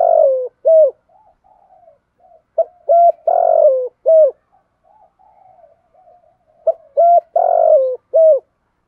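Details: Spotted dove coos used as a lure for birds: low, hollow phrases repeated about every four seconds, each a quick pickup note, clipped coos and one drawn-out, slightly rough, falling coo. Faint soft murmuring notes fill the gaps.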